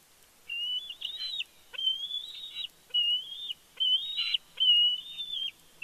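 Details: Bald eagles at their nest in the evening, Big Bear: a series of high, thin whistled calls with slurred, chattering ends, given in bursts about every second, with quiet gaps between.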